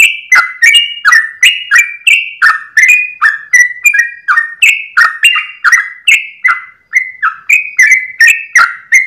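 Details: Yellow-vented bulbul giving a long rapid 'ropel' song at dawn, a continuous cascade of clear slurred whistles with varied pitch, kept up with barely a pause.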